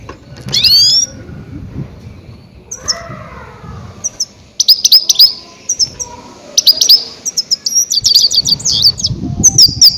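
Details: Goldfinch calls meant to attract grey-headed goldfinches for capture. A sweeping whistled note comes first, a softer lower warble follows, then dense bursts of bright, tinkling twitters repeat in quick clusters.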